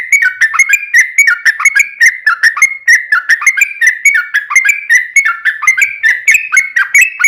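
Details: Sooty-headed bulbul (trucukan) giving a long 'ropel' song meant to lure other bulbuls into answering: continuous chain of quick whistled, dipping-and-rising slurred notes, about three per second, with no pauses.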